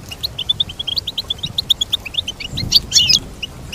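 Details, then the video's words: Goldfinch giving a series of evenly spaced chirps, then a louder buzzy, jumbled twitter toward the end. "Teach your goldfinch to sing beautiful motivational songs"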